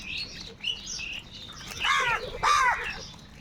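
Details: Crows in a huge flock, described as fighting for food, give a few harsh, arched caws over a busy background of distant calling birds.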